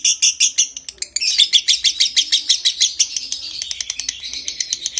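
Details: Loud lovebird ngekek in konslet style, used to stimulate breeding condition: rapid rasping chirps in a long run, slightly broken after the first second, then continuing as quick, sharp, harsh notes.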